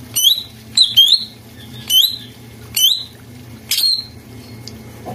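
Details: Greater green leafbird master recording for prompting a silent bird: short, sharp whistled phrases, each sweeping down then levelling, repeated about once a second in uneven spacing over a low background hum.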